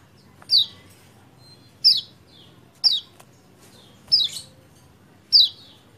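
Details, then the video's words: Lemon-bellied white-eye recorded 28/11/20 as a fast lure for silent birds; five crisp, high chirps dropping in pitch, evenly repeated about every one and a quarter seconds, with soft low room noise. "PANCINGAN CEPAT GACOR UNTUK KECIAL KUNING MACET"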